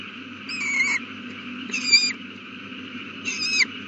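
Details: Owl at the nest beside a newly hatched chick, evening of April 18, 2019, 8:32 pm. Three hoarse screechy calls, each about half a second long with a falling whistled edge, spaced roughly evenly over a humming background.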